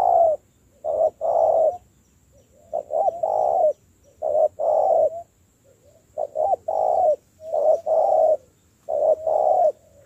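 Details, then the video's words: Spotted dove, a newly caught wild bird in training as a decoy, cooing in repeated low mellow phrases, each a short note and a longer one, in bursts about every one and a half seconds with quiet gaps. "tập bổi nổi mau thành mồi .thúc gù"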